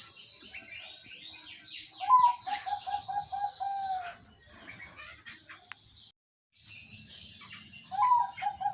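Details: Zebra dove song used to prompt a silent caged bird to sing: a rapid series of short, mellow cooing notes with a higher first note. Other birds trill and chirp loudly at high pitch throughout.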